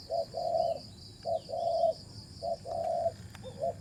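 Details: Spotted dove at a decoy-trapping session, birds reported fighting; flat, level coos come in pairs, a clipped note followed by a drawn-out one, repeated roughly each second over a constant high-pitched hum.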